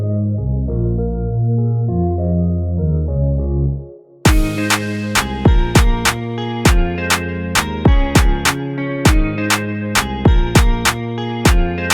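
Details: Soft keyboard chords fade out and give way to electronic music with sharp percussive beats, and no animal sounds are heard.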